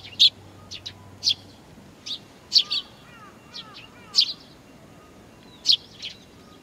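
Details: Nestlings calling while waiting for their parents at Tenmangu shrine, Nakanoshima, 25 June 2020; loud, high, clipped chirps repeated roughly every half second to second, with faint lower whistled notes from another bird midway.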